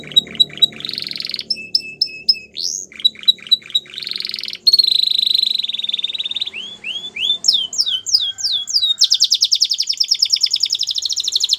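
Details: Varied Belgian canary song: clipped repeated notes, a level whistled tone, a long buzzy hold, rising slurs, descending swept whistles and a final fast, even trill.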